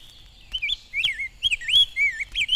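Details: In spring, a male Rose-breasted Grosbeak sings from a willow near where the brown female is building her nest. His rich, sweet, robin-like warbled phrases run smoothly together rather than being chopped off, and nearly every phrase seems to include "whippoorwill." Faint background hiss.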